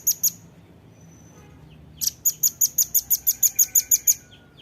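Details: Velvet-fronted nuthatch in a training recording for caged birds: two high sharp notes, a pause with a faint thin whistle, then a rapid run of about thirteen piercing, evenly repeated chips at around six per second.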